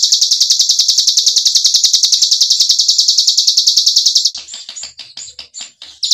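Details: White-eye singing ngebren, a recording meant to train birds and prompt silent ones to sing again: a steady high rattle of rapid buzzy pulses for four seconds, then scattered sharp chirps before the trill resumes.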